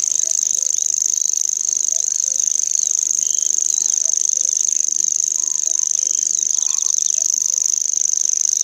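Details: Common grasshopper warbler singing a continuous, high, insect-like reel: a dry, even trill held without a break for the whole stretch. Faint low background sounds sit beneath it.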